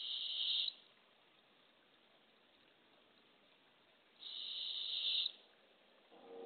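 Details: Barred owl nest box on April 27, 2024, early morning, as a female arrives with a baby opossum for the owlets. Two harsh, airy screeches about a second long, roughly four seconds apart.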